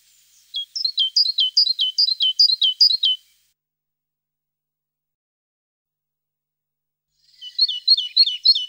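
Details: Tit singing: a fast, high series of short two-part notes, each dropping in pitch, runs for about two and a half seconds, falls silent for four seconds, then starts again.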